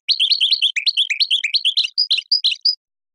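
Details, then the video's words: European goldfinch song for song training and encouraging mating in breeding birds: a fast, continuous run of liquid twittering notes that dip and rise, ending in several clear, higher whistled notes spaced apart. "improving goldfinch singing skills exercises and training"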